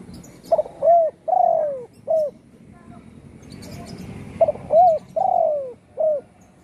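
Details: Spotted dove kept in a house after being shot in the wing, now in lively song; two similar phrases about four seconds apart, each of quick lead notes, a rounded coo, a long sliding coo and a brief closing coo, over low hum.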